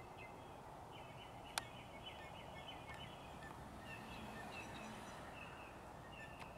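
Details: Blue jays, three to five of them, fighting over territory in a single yard tree: bursts of quick repeated notes, then a sharp click, then more spaced notes, all fairly faint against a constant low environmental roar.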